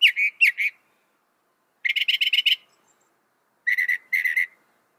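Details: Northern mockingbird, known for copying other birds, delivering short separated bursts: a few slurred notes, then a buzzy rapid trill, and later two quick stuttering trills after pauses of about a second.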